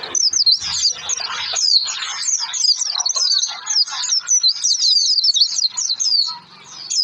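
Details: Lure song of the Oriental white-eye meant to set birds singing, a fast, unbroken high twitter of slurred chirps and trills running the full seven seconds without pause.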